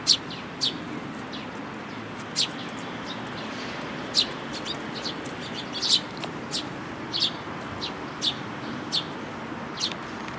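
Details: Sparrows, an adult with a chick, recorded on 18 May 2018: short bright chirps repeated irregularly, roughly every half second to second, some louder and closer, with a steady low background hum.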